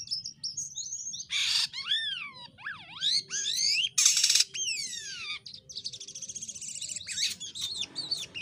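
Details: Jalak kapas myna in full chatty form, a tutor bird for training others; loud swooping whistles rising and falling, rough rasping bursts and a buzzy trilled passage, delivered rapidly with little pause.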